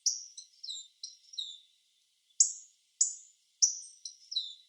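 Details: Hawfinch in Japan giving thin, very high calls: sharp tsii notes that slide downward, some in quick pairs, in loose bursts with a short pause midway, against a silent background.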